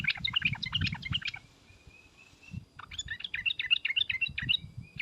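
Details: Sooty-headed bulbul calls, a lure of trucukan and 'ngriwek uplik uplik' notes meant to make bulbuls sing and answer: bursts of quick bright chattering notes, a thin steady whistle between them, then another chattering run, over low rumbling background noise.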